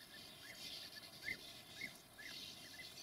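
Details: Sand martins at their nests in a breeding colony in an abandoned quarry: short chirping calls repeated about twice a second, some clearer, sharper notes among them, over a steady outdoor noise background.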